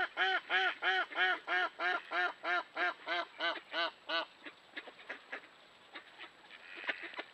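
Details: Urban mallards wintering at the Lester River mouth on Lake Superior, Duluth, at sunrise: about a dozen loud, nasal quacks, roughly three per second, trailing off into softer scattered quacks and chatter.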